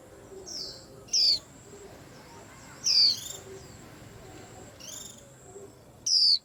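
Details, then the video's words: White-eye said to stir up a whole rack of birds: loud, high whistled notes slurring sharply downward, given singly about every two seconds, with fainter twittering between them and a steady high tone in the background. "Tiếng Chim Khuyên Làm náo loạn cả giàn"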